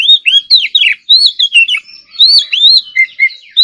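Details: Oriental magpie-robin singing during morning voice practice: a continuous stream of varied, loud, slurred whistles and chirps, rising and falling phrases packed closely together with no other sounds.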